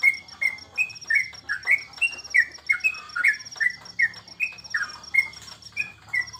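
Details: A caged yellow-vented bulbul sings at home during the corona period, steady chains of short gurgling whistles falling slightly in pitch, nearly three per second, with a persistent thin high tone behind.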